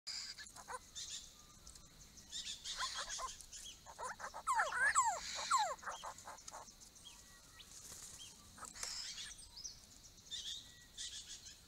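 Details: Small group of Grey-crowned babblers visiting a pond built for them, giving a brief burst of mewing, chattering calls amid soft rustling and faint high background noise, with quiet gaps between.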